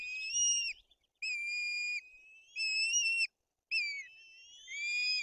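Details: Thin whistled notes from a white-tailed eagle nest in Poland's Bory Tucholskie, where two chicks are being fed and the elder acts aggressively; four long, level piping calls with clear gaps between them.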